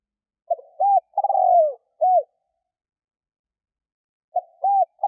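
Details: Spotted dove used as a decoy to lure wild doves, cooing in a four-part phrase: a soft short note, a hooked coo, a long trembling downslurred coo, and a final hooked coo. A new phrase begins near the end.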